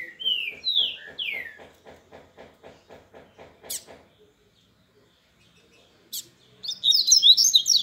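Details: Seedeater known as papa-capim, grego song from Minas Gerais: a few loud descending whistles, then a steady series of soft clicking notes about three per second, a pause, and a closing burst of high, busy twittering.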